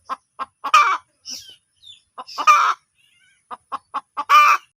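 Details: Hen sounds: clipped clucks in twos and threes building to loud, drawn-out squawks, repeated about every two seconds.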